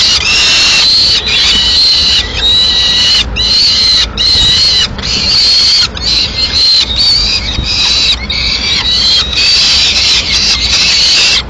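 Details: Peregrine falcons at a Madrid nest on 21 May 2016, where the female feeds two chicks with pigeon. Loud, rasping wails rise and fall in long runs, with short choppy breaks every second or so.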